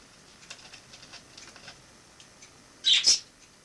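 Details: Wild sparrow that flew in through a balcony in autumn 2006 and lived in a home until summer 2007; after faint ticking and rustling, a loud pair of sharp high chirps sounds near the end.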